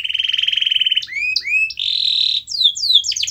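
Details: Canary song meant to be played to a quiet canary to get it singing: a rapid pulsing trill gives way to rising whistled slurs, a sustained buzzy trill and a run of quick descending notes.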